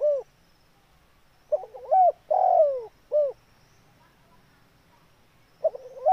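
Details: Spotted dove calling vigorously: a full phrase of a stuttering rising start, two arched notes and a long falling coo, followed by the start of the next phrase.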